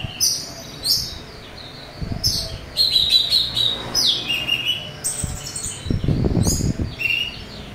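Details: Orange-headed thrush singing loudly, its harsh song used as a lure to provoke other thrushes to respond: a rich, varied run of harsh, scratchy phrases and clear whistles in quick succession, with low thumps and rustling beneath.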